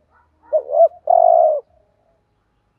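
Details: One cooing phrase from a spotted dove kept as a decoy to provoke rival males: a soft lead-in, two short rising notes, then a steady sustained coo; quiet afterward.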